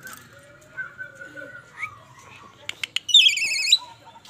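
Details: Asian pied starling, a bald individual, giving a brief loud wavering whistled call with rapid pitch wobbles near the end, after faint low voices and a few sharp clicks.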